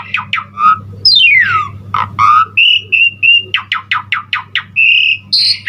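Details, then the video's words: Richly varied Asian pied starling song, intended as a singing lure for other starlings: harsh squawky notes, a long descending whistle, level whistled notes, and a fast string of sharp chattering clicks; steady low hum behind. "Suara Jalak Suren GACOR Full Isian Terbaik Untuk Pancingan Masteran Semua Burung Jalak Cepat GACOR"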